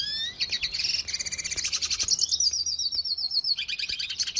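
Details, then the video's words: Red siskin song used to train cage birds: fast high chattering trills running into a descending series of repeated whistled notes, then more buzzy twitters. "Pintassilgo da venezuela cantando muito 2020 - Red Siskin training song"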